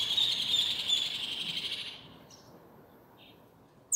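A goldfinch sings a fast, liquid twittering of high tinkling notes for about two seconds, then a couple of soft scattered notes follow over faint background hiss.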